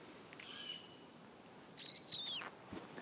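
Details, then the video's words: A female great horned owl of a mating pair, after circling the recordist while screeching, gives one harsh, raspy, downward-sliding screech under a second long, after a faint thin note, with a voice starting at the end. "Rare Great Horned Owl Call From Mating Pair"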